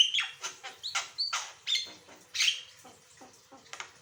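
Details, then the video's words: Asian pied starling singing a lively varied song, used as a master recording to prompt other birds to sing: a run of harsh chattering notes, buzzy bursts and short clear whistles in quick succession, with a faint steady hum underneath. "Burung jalak kebo gacor, suara variasi"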